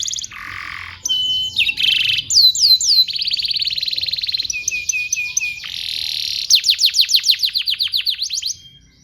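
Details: Canary song meant as a master recording for training young canaries; varied phrases with buzzy notes, fast repeated sweeping syllables and steady trills, ending in a series of loud descending notes repeated several times per second.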